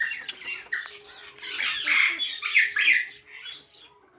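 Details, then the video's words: Parrot chirping in a natural setting: a dense run of overlapping harsh chirps and squawks, swelling to a loud rasping cluster midway before trailing off into softer notes. "Natural Parrot Chirping Sounds"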